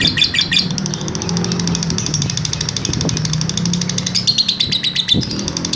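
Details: Long 'ngekek' trill of a caged lovebird used as a master recording for training birds. Bursts of rapid chattering notes come over a louder low rumbling background with a few knocks.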